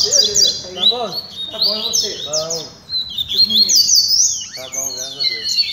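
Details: Several double-collared seedeaters in song training, mixing high, rapid slurred whistles and chirps with lower, repeated nasal-sounding notes, the phrases overlapping and uneven in rhythm.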